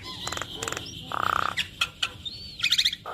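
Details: Jalak kebo, the Javan myna, in a short ocehan stretch with isian, used to spur other mynas: a buzzy rattling note, quick clicks, a thin rising whistle and a closing trill-like chatter.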